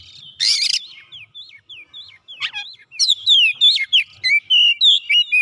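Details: Oriental magpie-robin singing gacor while looking for an opponent: a harsh buzzy burst opens, then scattered sliding whistles that build into a rapid, loud string of twisting whistled notes.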